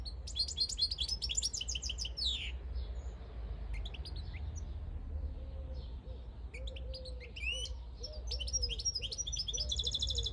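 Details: European goldfinch song from a field bird in 2022: rapid liquid twittering and jingling trills at the start and end, a sparser pause in the middle, soft lower tonal notes, and constant low background hum.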